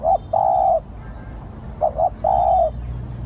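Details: Decoy spotted dove calling, low soft coos: a long held note, then a double short coo running into another long hoot, over faint distant high chirping.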